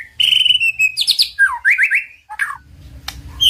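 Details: White-rumped shama master song meant to excite a quiet shama to sing: a clear sustained whistle, then fast repeated slurred notes, a descending swoop and quick rising trills, ending in scattered chirps.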